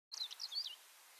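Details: A tawny pipit in a small thicket in Mongolia in May 2006 gives a quick burst of high, thin chirping notes lasting under a second, then a soft background hiss.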